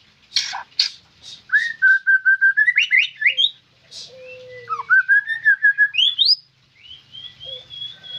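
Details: Actively singing white-rumped shama gives loud, clear whistled phrases: level sustained notes that climb into upslurred whistles, with a short low whistle between phrases and a final high drawn-out note.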